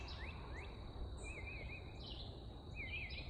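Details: Northern Parula, a tiny summer warbler of riparian canopy on the Colorado River, Texas, 18 April, morning: high, buzzy trill climbing steeply like a video-game level-up; a red-eyed vireo sings alongside, other small birds chip over low rumble.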